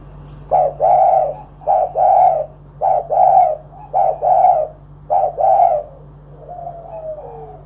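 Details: Spotted dove calling to prompt other doves to sing: steady two-part coos, a brief note then a fuller rolling one, repeated about every second, ending with a faint falling whistle-like tone.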